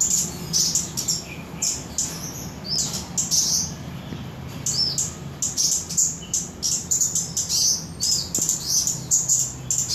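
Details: Mountain leafbird, known locally as cabai gunung or toli-toli, from Samarinda, singing a high, rapid run of bright chirps and short twittering phrases in quick bursts, with a steady low hum underneath.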